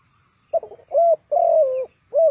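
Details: Decoy spotted dove kept to draw wild birds into a trap: one cooing phrase with a broken, stuttering start, two rounded coos and a longer falling drawn-out note before a final short coo.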